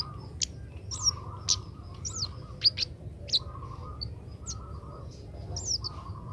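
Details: Juvenile Oriental magpie-robin practising song: thin high chirps and quick slurred whistles at uneven intervals, alternating with short lower warbled phrases, against constant low background rumble.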